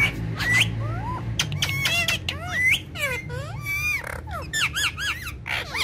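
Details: Talking parrots in a family group play with one another on a charpai, giving harsh squawks mixed with looping, swooping whistled notes and a short run of quick repeated up-down chirps near the end, over low hum.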